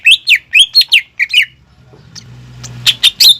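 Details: Greater green leafbird lure song for a learning bird: a quick series of sharp, rising whistled notes, then a low hum and faint noise before three more piercing chirps.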